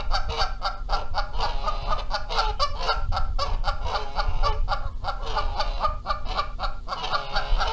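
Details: Canada geese at Rogers Place, Charlo, Montana, in spring 2022, with a pair fighting over the eggs. Sustained rhythmic honking runs without a pause, each harsh nasal note quickly following the last, several birds overlapping.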